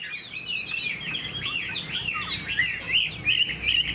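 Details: Chinese hwamei kept as a caged songbird in Vietnam, giving a fast stream of looping whistled notes, with quick repeated phrases and sharp chirps over a faint background hum.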